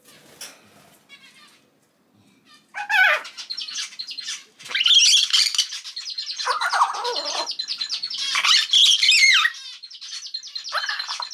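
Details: Pet common hill myna, a three-month-old baby that cannot speak yet, sex undetermined, pouring out a long run of shrill, grating, chattering calls, loud and nearly continuous after a brief quiet start.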